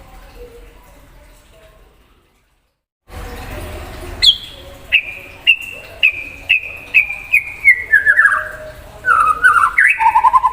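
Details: Kept white-rumped shama singing to provoke another shama: after a quiet start, a series of clear whistled notes, each sliding down, stepping lower through the phrase, ending in rapid chattering trills.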